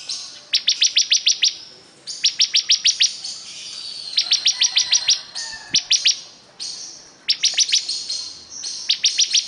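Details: Bar-winged prinia, described as a very vocal singer, giving bursts of five to eight sharp, high, ticking notes in rapid series, each burst about a second long with short pauses between, over faint hiss.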